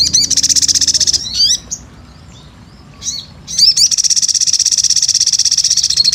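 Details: Long rapid trill from a sunbird, high and steady with pulses about four per second, broken by a few sharp hooked sweeping notes, then resumed at the same pace.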